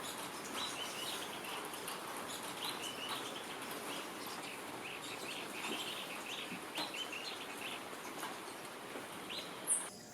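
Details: A tanager on the east slope of the Andes, Ecuador, in late May–June, gives a steady string of short, high chirped call notes, several per second, over a constant hiss like rain or rushing water.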